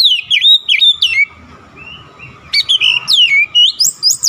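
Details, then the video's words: Kacer, the oriental magpie-robin, persistently showing off its isian repertoire: rapid, sharp whistles that dip and rise, a short gap with faint background noise, then another run of bright chattering notes. "KACER NGOTOT BONGKAR ISIAN"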